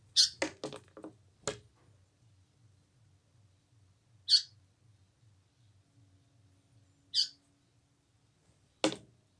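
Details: Indian paradise flycatcher inside a house: short harsh high notes given singly every few seconds, with a burst of clicks and knocks at the start, a steady low hum throughout.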